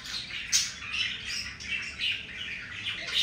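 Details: Domestic budgies mating, a pair in a breeding moment; steady scratchy warbling chatter with short squawks and chirps, rapid and high-pitched, with brief louder peaks.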